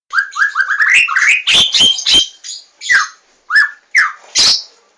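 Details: White-rumped shama in loud, clear song: a run of rising whistled notes speeding into bright sweeping phrases, then separate sharp falling notes and a final buzzy burst, over near silence.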